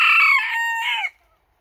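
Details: Crow of a Japanese bantam (chabo) rooster: one loud, strained, harmonic crow lasting just over a second, starting high, dropping to a level middle section, then lifting briefly before an abrupt end and silence.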